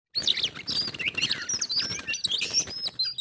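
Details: Oriental magpie-robin, a pet bird visited by a wild one, the two in a singing contest that turns into a fight: dense overlapping whistled and scratchy notes, high-pitched and continuous, with low rumbling background noise.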